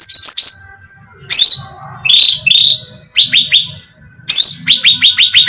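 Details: Cucak ranting bulbul used as bait sound to lure birds: harsh chattering notes alternate with rapid runs of sharp, bright descending chirps, repeated in uneven bursts.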